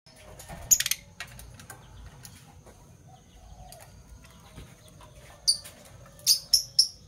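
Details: Fischer's lovebirds, parblue violet and parblue turquoise colour forms, kept as pets and chirping in the morning: sharp high shrill chirps, a cluster near the start and a rapid run of three near the end, with faint chatter between.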